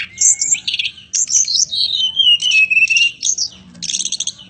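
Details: Mountain robin (tledekan gunung) in full song: sharp high chirps and rattling trills around a long descending whistled slur, ending in quick repeated notes.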